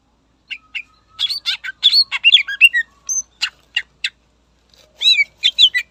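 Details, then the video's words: Lively Greater green leafbird song for provoking rival birds, a dense burst of varied chirps, harsh squawky notes and twisting whistles. A short pause follows, then another rapid chirping phrase. "Suara Burung Cucak Ijo Gacor Istimewa Membakar Emosi Lawan"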